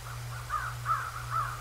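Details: Bald eagle at the Decorah North nest, filmed by a live nature cam on 7 January 2024 at 08:36; a short series of clear, slightly falling call notes repeats about every half second over a steady low electrical hum.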